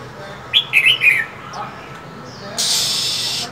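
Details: Female than songbird during cold winter: a rapid run of four high, slightly falling chirps, a faint note, then a sustained harsh hiss lasting about a second.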